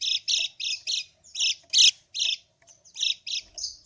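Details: Harsh squawking chips of a yellow white-eye, played as a lure to draw an answer from a bird that will not sing; loud buzzy notes in uneven pairs with short gaps.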